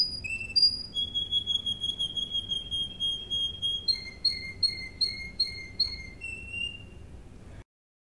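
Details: Russian canary (Serinus canaria) singing, a song offered for training: long steady whistled tones shifting between two pitches, then a series of bright clipped whistled notes repeated about twice a second, ending abruptly.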